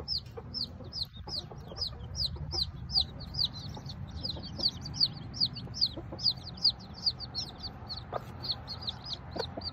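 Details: Ten newly hatched chicks with their small bantam Sebright mother: a busy, nearly continuous chorus of high, arched peeps, several per second, with a few soft clicks and a quiet background.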